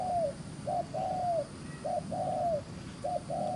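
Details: Wild-caught field spotted dove with fine neck spotting, cooing briskly in the rapid 'gù xiết' style: short clipped notes each followed by a longer, slightly falling coo, about five phrases in under four seconds over a low rumbling background.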